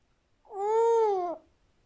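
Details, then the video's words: A grey parrot gives one drawn-out, nasal, mewing note, slightly arched in pitch and under a second long, in a quiet room. "Jako Papağanı"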